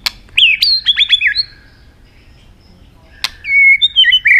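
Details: An Asian robin sings a quick cluster of bright, bending whistled notes after sharp clicks, falls silent for nearly two seconds, then resumes with a click and sustained slurred whistles.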